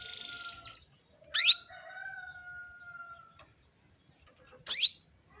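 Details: Two bright, rapidly rising chirps from a female canary calling males to sing, about three seconds apart, with a long thin level whistle and a softer buzzy note in the background between them.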